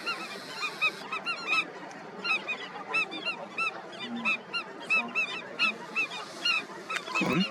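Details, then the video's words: Indian skimmers at their breeding colony give loud, nasal, harmonic yaps in quick, uneven series, about one or two a second, several birds overlapping, with a brief low thud near the end. "Colony of Indian Skimmers"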